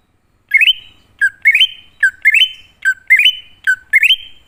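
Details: Lure song of a wild-type greater green leafbird, meant to call newly caught or non-singing birds: five quick phrases, each a low note jumping into a rising stepped whistle that trails off, in clean silence.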